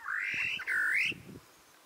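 A great parrotbill gives two loud, clear whistled notes: a long rising slur, then a shorter swooping note that dips and climbs again. Faint low thumps sit underneath.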